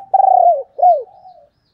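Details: Spotted dove hen with a thổ đồng style voice, used as a lure for wild males: a long, even, mid-pitched coo that drops at its end, then a shorter arched coo sliding down, trailing into a soft hum.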